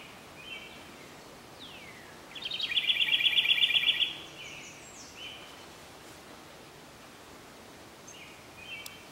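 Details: A Carolina wren in Wayne County, New York, sings an unusual song: a bubbly, rapid two-second trill of high notes that sounds like a house wren's song, with faint chips from other birds.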